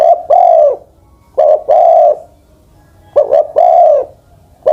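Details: Ten-plus-year-old spotted dove kept as a decoy coos steadily: each phrase a brief stuttering lead-in and a full, drawn-out coo that falls at the end, repeated about every one and a half seconds.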